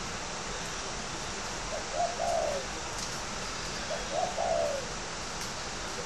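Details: Spotted dove kept for cooing competitions, Ba Vì, Hanoi, northern Vietnam: two separate soft, low, slightly descending coo phrases about two seconds apart, over steady hiss.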